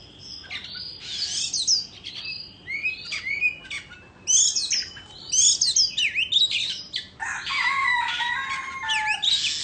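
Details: White-rumped shama of Indonesian origin performing its fanned-tail dance song: loud bursts of sharp whistles and chips in varied phrases, ending with a dense, rasping rattle.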